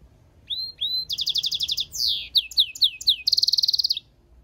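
A goldfinch-canary mule sings a bright, fast song: two rising whistles, then rapid tinkling notes, descending slurred phrases and a quick trilled roll at the end.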